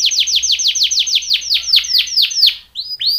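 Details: A Belgian canary sings a training song: a fast trill of high, sweeping downslurred notes, about five per second, ending with two short rising-falling phrases.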